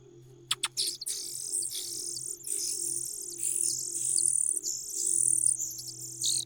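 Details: Common cuckoo begging in a nest: sustained high, hissing bursts, loud and nearly continuous, broken by short gaps, with a low hum and a couple of sharp clicks at the start.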